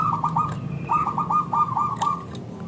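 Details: Local zebra dove giving its thick, crystal-toned lure song to set other zebra doves calling back: a brisk string of short looping coos with a brief break near the start, over a low rumbling background.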